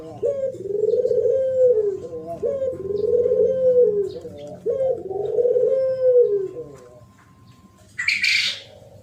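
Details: Spotted dove song in the thổ pháp style, used to rouse males and females: three drawn-out, low, arching coos about two seconds apart, then a brief noisy burst near the end.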